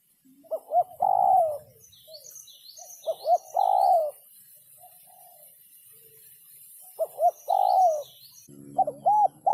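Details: Spotted dove sấm chuông cooing for exciting males and females: three phrases, each with quick short coos and a long, wavering coo, then a final burst of coos under a sudden rough background noise. Soft high chirps of small birds throughout.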